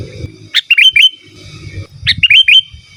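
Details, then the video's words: Vigorous natural song of a sooty-headed bulbul, free of borrowed phrases, meant to answer rivals and tutor caged birds: two quick liquid, rising-and-falling whistled phrases of four or five notes, with low murmuring noise beneath. "Suara Burung KUTILANG GACOR Asli Tanpa ISIAN Ampun Untuk Suara Panggilan dan Masteran"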